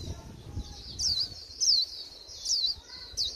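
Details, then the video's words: End-of-season wild-caught white-eye with a flat líu twitter: spaced, thin, high downward-sliding whistles about once every 0.7 seconds, each brief and buzzy-edged, over a soft hiss and low hum. "Khuyên bổi cuối vụ líu nhạt nhẽo"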